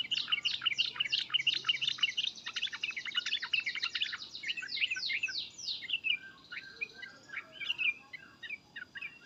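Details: Sooty-headed bulbul calling in agitation, a long stream of rapid, high, overlapping chatter and squeaky notes that keeps going, slowly thinning out toward the end.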